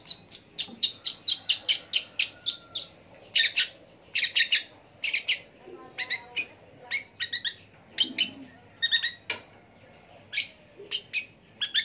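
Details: Long-tailed shrike singing a long, varied run of mimicked calls of various birds: rapid sharp chirps and clicks, then dense stacked bursts and short buzzy phrases with brief pauses.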